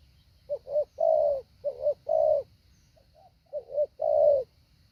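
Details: Spotted dove used as a decoy in training, with a well-structured call, repeats its phrase three times: paired short low coos, then a long rounded coo, with brief pauses between.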